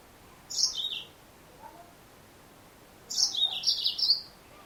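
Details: Female yellow-fronted canary giving two bursts of high, thin chirps about two and a half seconds apart. Each note slides downward, and the second burst is longer, a rapid string of dropping twitters. A faint low note sounds between them.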